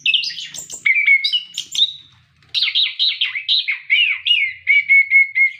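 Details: Orange-headed thrush singing vigorously, a recording meant to prompt captive birds to sing: fluty warbled phrases, then a fast twittering run, ending in a series of level whistled notes repeated in quick succession.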